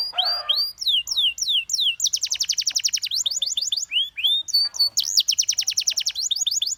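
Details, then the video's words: Canary in full song: rising and falling whistles, then steady rapid trills repeated in long runs, a few looping slurred notes between them, bright and high throughout. "Canary Singing Bird Sounds"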